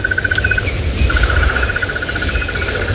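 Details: Crested barbet calling unseen from a tree beside a safari vehicle at sunrise on 26 December 2017, Sabi Sand, South Africa; a long, fast, even trill likened to an alarm clock, briefly pausing then resuming, over engine rumble and insect noise.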